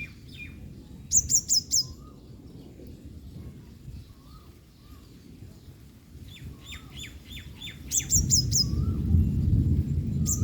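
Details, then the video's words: Yellow-bellied sunbird, a female drying herself after heavy rain, utters short bursts of high sharp chips; other birds add descending mid-pitched notes and soft low whistles, and a low rushing noise rises near the end. "sunbird calling"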